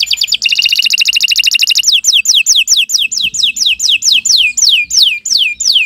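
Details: Canary (kenari) singing extended gacor song in the morning for use as tutor material: a fast buzzy trill for nearly two seconds, followed by steady downward-sweeping whistles about three per second.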